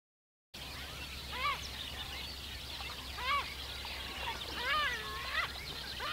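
Caspian gull giving a series of loud, harsh, laughing calls with rising-and-falling notes, several gulls overlapping, over a steady background hum.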